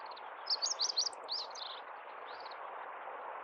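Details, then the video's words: Meadow bunting in central Hyogo, Japan (Kita-Harima), 10 April 2021, singing its 一筆啓上 song: a brief rapid run of high, thin chirps, then fainter trailing notes against a steady rushing hiss. "ホオジロ 本日も一筆啓上 鳴き声"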